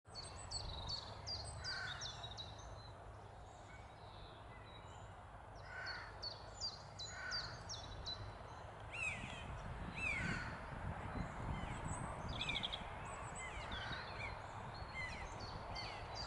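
Eurasian jay giving harsh, rasping screeches amid high chirping from smaller birds and a low background rumble.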